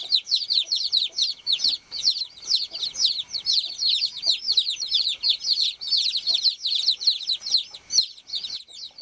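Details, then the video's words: Young farm chicks peeping loudly and constantly, several birds overlapping: rapid high descending peeps, roughly two per second each, with a brief lull near the middle and faint scratching sounds. "BABY CHICK CHIRPING SOUND | The Baby Chickens Are Here"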